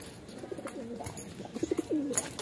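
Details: Pigeons kept in a Philippine loft before release, older birds said to be rough with youngsters; broken, wavering coo fragments from more than one bird, with short taps and a sharp knock at the end.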